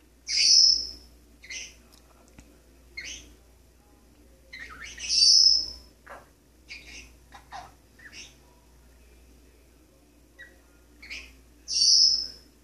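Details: Male Maximilian's pionus parrot kept as a pet, singing from a kitchen sink faucet: loud high whistles recurring about every five to six seconds, separated by clusters of shorter warbling notes.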